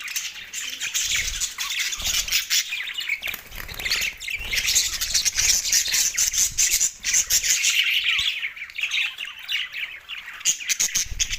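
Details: Two pet male budgies keep up a long, unbroken chatter of grating squawks, twittering chirps and fast buzzy notes, loud and steady throughout.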